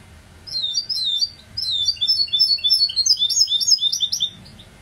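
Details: Goldfinch hybrid (bandouk) in a lively twittering song: quick high chirps and liquid slurred notes tumble in two bursts, with a short pause between, against a quiet background.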